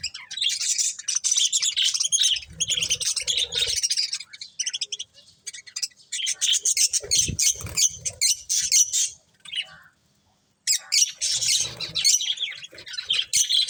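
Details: Budgerigars eating corn chatter in long runs of rapid high chirps and scratchy twitters, a clear pause around the middle, then continuous chattering again.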